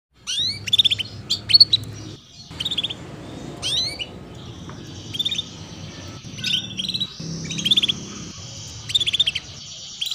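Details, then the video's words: Female canary chirping 'cuit cuit' to encourage young birds to sing sooner; bright high clipped notes and quick rising sweeps, grouped in short clusters with brief pauses and a faint low rumble underneath. "PANCINGAN Kenari BETINA Cuit Cuit || Masteran Kenari Paud Agar Cepat Bunyi"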